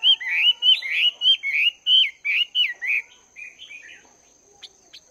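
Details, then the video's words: Caged Chinese hwamei, two months in the cage, training its voice in the morning: a run of loud, rich slurred whistles rising and falling, about ten phrases in three seconds, then softer twittering, over a steady high background tone. "Chim Hoạ Mi Mộc VIP 2 Tháng Lồng Luyện Giọng"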